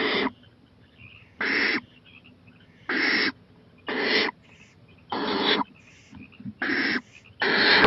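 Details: Owl on a porch at night, 23 April 2018, 11:26 pm, eyeing a playground; loud, rough, breathy hisses repeated about every one to one and a half seconds, seven in a row, with little else heard.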